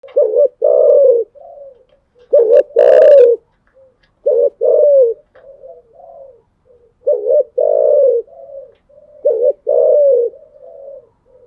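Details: Spotted dove cooing in the morning: low mellow phrases, each two short throaty notes then a long rolling coo, repeated about every two seconds, with softer trailing coos between; a brief higher rattle near the third second.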